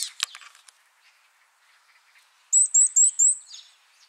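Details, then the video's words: Varied tit: a few soft clicks and chips, a quiet gap, then a run of five clear, high, upslurred whistled notes delivered rapidly and evenly. "곤줄박이 우는소리"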